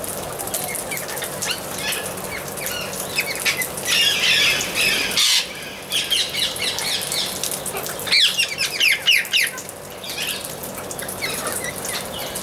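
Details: Amazon parrot giving loud, harsh squawks: a noisy burst near four seconds, then a run of rapid, rough squawks over about two seconds, amid faint chirping from other birds and a steady background hiss.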